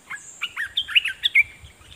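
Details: Caged decoy red-whiskered bulbul singing toward wild birds, giving a lively series of short whistled slurs and chirps, several sharp rising notes near the end, over a thin steady high hiss and soft low background noise.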